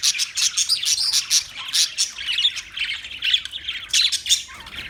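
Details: Busy parakeet chatter, fast high-pitched chirps and scratchy squawks repeated in irregular bursts throughout with little pause.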